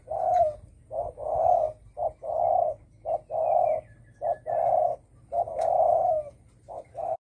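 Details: Spotted dove in the đồng thổ sấm calling style, used to goad other birds: a rapid run of low, rough coos in short-long pairs, about seven phrases with brief pauses between them.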